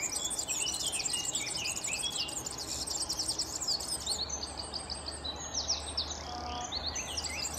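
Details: European serin (Serinus serinus) singing a fast, continuous, very high-pitched jingle of buzzy, crackling notes, slightly slower and more broken toward the end, with low background hum.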